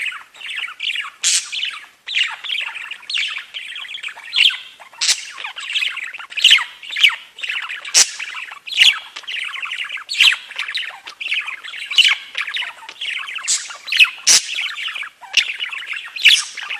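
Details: Pet budgerigars chatter nonstop while their cage is being cleaned, a busy stream of scratchy warbles, clicks and sharp squawks.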